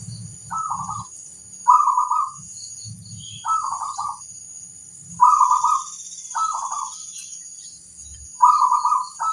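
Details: Zebra dove, a local bird, singing as a master recording meant to make other doves answer: soft purring cooing phrases repeated every one to two seconds, with faint low rumbling noise beneath.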